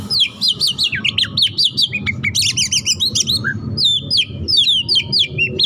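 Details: Caged White-rumped shama, described as a hot-tempered bird firing off a dense varied song: rapid whistled notes, sharp upslurs and chattering phrases in quick succession, over a steady low rumble of background noise.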